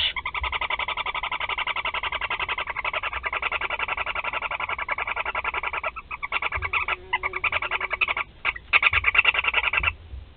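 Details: Feeding time for four young barn owls at a nest in Théding, 16 July 2020: a long, rapid stream of rhythmic nasal chittering pulses, faltering briefly near the end before resuming.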